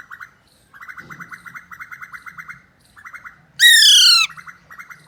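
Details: Talking pet Alexandrine parakeet at play with a mobile phone gives bursts of fast, rippling chatter broken by short pauses, then one sudden loud, harsh, falling squawk before the chatter resumes.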